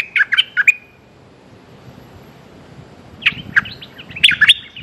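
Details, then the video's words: Calling for a mate, a streak-eared bulbul gives a short burst of harsh chirps, falls silent for two seconds, then resumes with several more scratchy, chattering notes. "Suara pikat merbah lekir"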